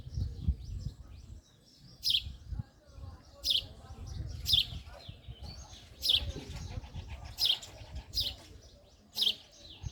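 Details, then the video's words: A male house sparrow gives bright, clipped chirps repeated roughly every second or so, over a low rumbling background. "Sparrow male 🐤😍 | sparrows chirping"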